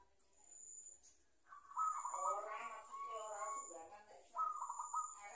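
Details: Young zebra dove, taken wild with a decoy and kept by its owner, learning to coo; soft, bubbly, trilled cooing phrases in bursts, with a steady high-pitched whine in the background.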